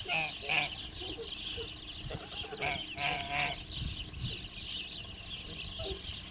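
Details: Male Kholmogory goose, hatched in 2014, pure white, kept on a farm; a few harsh, nasal honks cluster near the middle, over steady hiss and low rumble.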